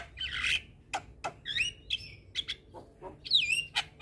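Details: Javan myna song used as a tutor recording for young birds: a lively run of harsh squawks, short buzzy chirps and sharp metallic notes, rising and falling unevenly over several seconds against a quiet background.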